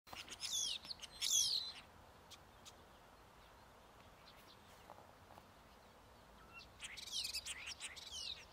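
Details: Common starling at Hauptmanca, Ljubljansko barje, on 21 April 2023, gives bursts of high, scratchy whistles and squeaky chatter, a lively jumble in two spells separated by a quiet gap.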